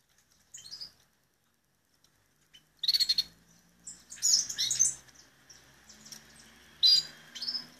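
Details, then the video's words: Belgian canary giving scattered, broken bursts of chirps and short buzzy phrases separated by pauses, fairly quiet overall. "Canario belga salsa"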